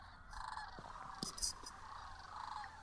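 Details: Massed sandhill cranes gathering for the evening on the Platte River at Rowe Sanctuary during spring migration, socializing and settling to roost; a dense, continuous murmur of overlapping rolling calls, fairly distant, broken by a few sharp clicks and knocks.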